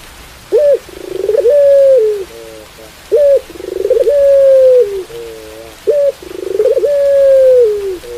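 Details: Repeated pelung-style coos of a Barbary dove, three phrases about every 2.7 seconds. Each has a sharp rising yelp, a pulsed roll, a long level hoot that drops at the end, and a short triple note.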